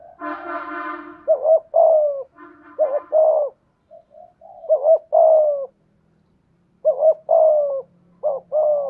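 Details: Spotted dove used as a decoy, with a 'thổ' voice, coos in two-note phrases with soft fragments between. A loud harmonic buzzing sound opens the recording, and a faint low hum runs beneath.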